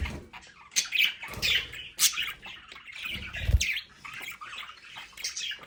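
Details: Home budgerigars chatter in bursts of squawks and warbling chirps, mixed with low knocks and bumps from the play area.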